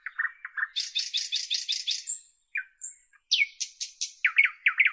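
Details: Nightingale singing low chuckling notes, then a long throbbing high rattle, a thin whistle, a pause, and loud strident chirps repeated rapidly.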